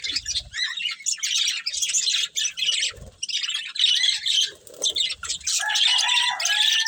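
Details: Breeding pair of budgerigars give a run of harsh chirps and squawky chatter in short bursts, ending with clearer, drawn-out whistled notes, with a few low knocks in the background.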